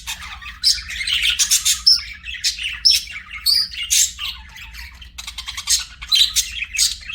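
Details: Budgerigar chirping in fast, bright clusters of clicky tweets, short whistled notes and raspy warbles, with a brief pause near the middle and a faint low hum.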